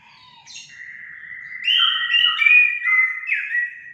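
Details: Orange-headed thrush singing, used as a trigger to make pet birds sing: a quiet opening of thin notes, then a louder flowing phrase of varied whistles that rise and fall.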